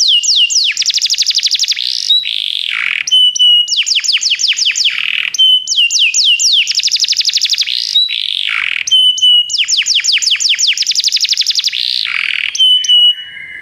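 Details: Canary song for stimulating a caged pet canary to sing: loud repeated phrases of rapid trilled notes. Each trill is followed by a swooping dip and short clear whistles, the phrase cycling about every two to three seconds.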